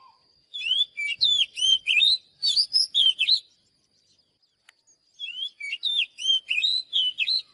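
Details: Oriental magpie-robin singing, for song training: two strophes of rapid varied whistles with chirpy overtones, each lasting about three seconds and separated by a quiet pause, with a faint steady high tone.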